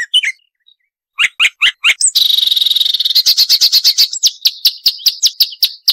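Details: Marsh warbler song, a sharp 'nembak' recording for training songbirds: scattered chirps, then five quick slurred notes, a dense buzzy trill, and evenly spaced high clicking notes to the end.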